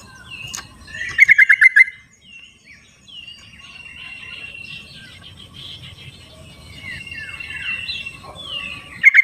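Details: Sooty-headed bulbul singing in the wild, used as a lure to prompt silent captive birds to sing: short bursts of rapid bubbling notes, then sliding whistled phrases over a low rumbling background.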